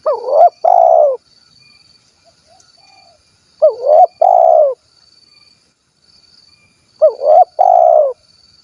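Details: Kuk 1 style spotted dove recorded in Cilacap, Central Java, giving three evenly spaced low coo phrases roughly every three and a half seconds, each a short upswept note followed by a longer level hoot, over a thin constant high-pitched hum.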